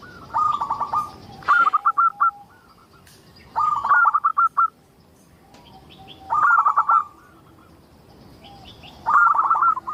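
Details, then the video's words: Local zebra dove in full voice, used to prompt other zebra doves to sing; four separate bursts of quick cooing notes spaced roughly every three seconds over faint background noise. "Suara indah perkutut lokal gacor untuk pancingan"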